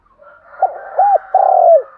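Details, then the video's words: A decoy spotted dove calls the flock in the morning with one quick phrase: a short coo, a rounded hooked coo, then a sustained coo falling at the end. A soft background hum runs underneath. "tiếng cu gáy gọi bầy buổi sáng"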